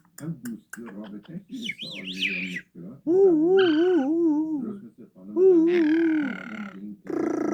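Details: Yellow-headed amazon talking: short chattering syllables, then long wavering tonal notes with rippling pitch, a loud harsh buzzy burst, and a final rough squawk.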